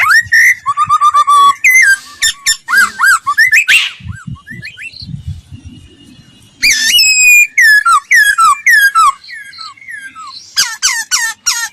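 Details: Laughingthrush song used for voice training: loud, clear whistled phrases, rising and falling slurs and quick repeated notes in bursts, with short pauses between phrases; faint low thumps in the quieter gaps.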